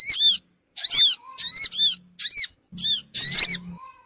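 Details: Lure call of the Sogon bird, played to draw small wild birds in quickly: loud, squeaky, arched notes with stacked overtones, given in short bursts of one or two, separated by brief silences, over a faint low hum.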